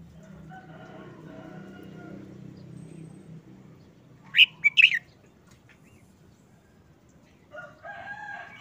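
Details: A caged red-whiskered bulbul, looking listless after over a month of moulting under a cover, gives short, simple song phrases: a brief, loud burst of two bright whistled notes midway and a softer phrase near the end, with a distant rooster-like crow early on.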